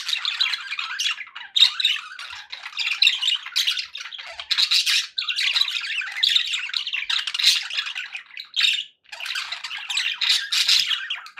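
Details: A flock of domestic budgerigars making happy sounds, busy scratchy warbling interspersed with louder squawks and chirps, one short gap near nine seconds, all inside a small room.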